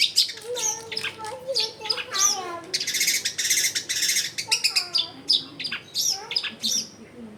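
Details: Long-tailed shrike singing busily with a varied, rich repertoire, recorded at a house in a dense residential area. Rapid high chirps, a dense buzzy rattle in the middle, and sliding whistled notes, over low background noise.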